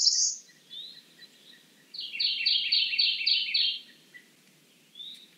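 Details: Cerulean warbler with a high, fast, buzzy series of repeated notes lasting over a second, preceded by a brief high note and a softer short call, light background hiss.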